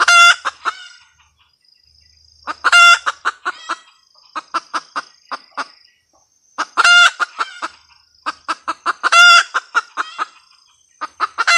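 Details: Female red junglefowl in full cackle: four loud, ringing squawks, each trailed by fast falling series of clucks, repeated over about twelve seconds against a constant high-pitched background whine.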